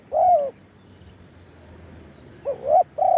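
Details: Live spotted dove cooing used to call wild birds: one rounded, slightly falling coo, a long quiet gap, then a rising-falling coo pair leading into another steady coo.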